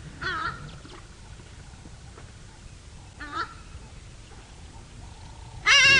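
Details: Hadeda Ibis, chased away from feeding along drying waterside grassy margins, give loud, harsh, nasal calls in short bursts, expressing displeasure, on a morning drive on 1 June 2017.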